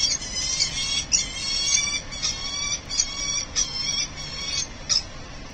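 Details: Falcon pair at the nest during incubation changeover on 20 September 2023, the male arriving early for egg duty before the female returns: harsh raspy calls in uneven bursts, over a steady low background hum.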